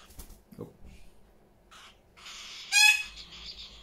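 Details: A house full of parrots: soft rustles and murmurs, then a loud, grating squawk with strong stacked tones near the end, followed by quieter chatter.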